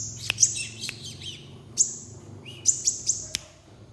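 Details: High, thin chirps from a crimson sunbird, single or in short clusters of two or three, separated by pauses, with a faint low background hum and a few taps.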